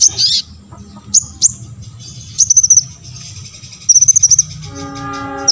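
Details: High, sharp olive-backed sunbird notes, repeated to get other sunbirds singing: brief squeaky chirps in short clusters with pauses between, and a steady, low, tonal hum entering near the end.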